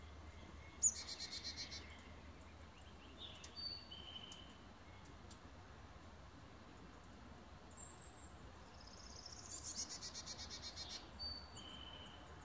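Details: Adult male brown-headed cowbird, seen in the morning and the first ever seen in the area, giving thin, very high whistles and two brief buzzy, sizzling bursts, one early and one near the end, over a steady low background rumble.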